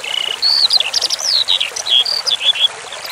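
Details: Eurasian skylark singing as a training recording with flowing water for relaxation: a varied string of high thin whistles, slurred rising and falling notes and short chirps, over a constant rushing hiss of running water.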